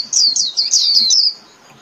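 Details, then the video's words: Short, bright burst of high warbling from a Japanese white-eye calling the flock, several slurred notes running together in just over a second before fading. "Chim Vành Khuyên (Chim Khuyên) hót gọi bầy"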